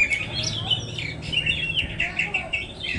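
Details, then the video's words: Oriental magpie-robin (kacer) sings a rapid, varied run of bright whistles and chattering notes with no pauses, over a low background hum. "kacer poci"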